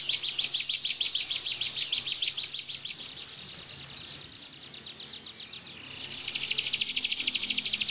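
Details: Bar-winged prinia singing a 'tembakan' bren-style bout meant as training material for caged white-eyes: rapid high chattering notes, a brief pause with a few squeaky whistles, then an even faster, tightly packed trill.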